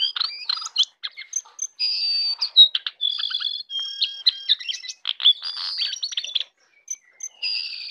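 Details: Jongkangan singing in the morning, a rapid varied chatter of high whistles, trills and sharp chirps with brief pauses, several notes sliding or held steady.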